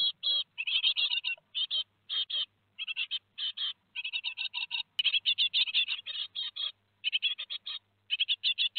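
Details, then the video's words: Great tit nestlings, Théding, 15 July 2020, two days before fledging: rapid rasping chirps in tight clusters, almost continuous, with only short pauses. "2 jours avant l'envol - 15/07/2020 - Les Mésanges Charbonnières de Théding"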